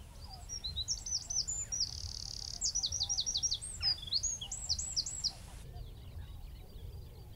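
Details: Wicken Fen Eurasian wren singing from a tree about 15 m away: piercing high notes, a brief buzzy trill, then a fast series of repeated falling notes. The song stops after five seconds and faint background sounds continue.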